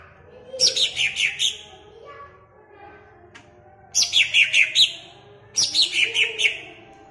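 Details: Greater green leafbird in a cage at Jatirejo, Ampelgading, sings to provoke other caged leafbirds: three short phrases of bright, shrill chirps falling in pitch, each about a second long, spaced by quiet pauses.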